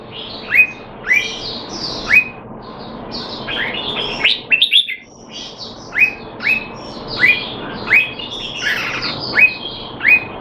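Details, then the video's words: Male Red-whiskered bulbul (Jambul), caged in Singapore and trained on 25 December 2020 to keep him sharp: lively series of rising whistled chirps repeated roughly every half-second to second, with a brief jumbled chatter midway. "สิงคโปร์เลี้ยง นกหัวจุก Jambul"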